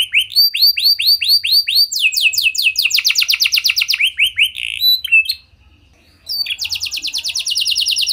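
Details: Canary song for coaxing other canaries to sing: evenly spaced swooping whistles, then dense trills and buzzy notes, a one-second silence, and a final fast, steady trill.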